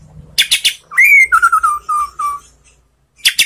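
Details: White-rumped shama in a calm lure song: sharp clicking notes open, then a long rising whistle followed by a run of evenly spaced, lower whistled notes, ending with a pause and more sharp notes.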